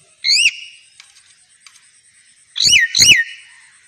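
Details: Talking myna bird playing in a garden gives three loud, clear whistled notes, each sharply rising then falling: one alone, then a quick pair about two seconds later, over a faint steady high-pitched hum.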